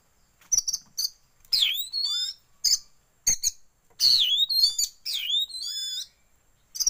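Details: Oriental magpie-robin song as a tail-opening lure for kept birds, with white-rumped shama filler; loud, varied phrases of high whistles that swoop down then rise again, between quick chirping bursts.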